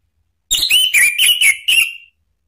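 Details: Orange-headed thrush provoking rivals with a run of six bright whistled notes, evenly spaced, the last one drawn out and sliding upward.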